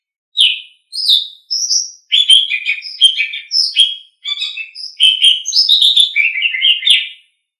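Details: Asian pied starling training song: a lively run of short whistled and buzzy notes in quick succession, jumping between higher and lower pitches, delivered in a near-continuous stream over several seconds, clean and without background noise.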